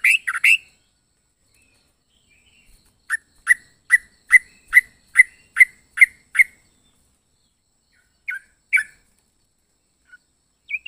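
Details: Yellow-vented bulbul with an opening flurry of notes, then ten short clear whistles repeated steadily about every quarter second, followed by scattered single chirps after a pause.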